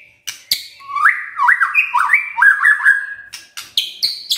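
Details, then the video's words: White-rumped shama giving kretekan, an emotion-stirring style of singing: a run of swooping, rising whistled slurs about half a second apart, framed by sharp clicking notes and a few higher chips at the end. "KRETEKAN MURAI BATU pendongkrak EMOSI✅✅ shama bird✅"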